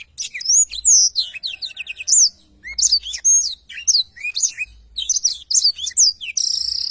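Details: Black-throated canary singing actively as a songbird-training tutor: varied high whistles and downslurred chirps in quick phrases, ending with a sustained buzzy note.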